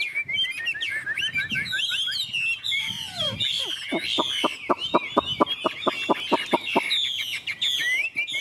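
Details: Chinese hwamei in full song, tumbling whistled phrases and chatter, interrupted midway by a fast series of sharp dry clicks before the warbling resumes.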